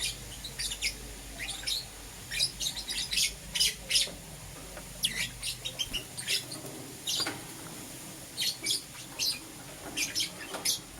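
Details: Euwing green opaline and lutino lovebirds in the morning giving rapid high chirps and short squeaky notes in irregular clusters, steady throughout, with a low background hum.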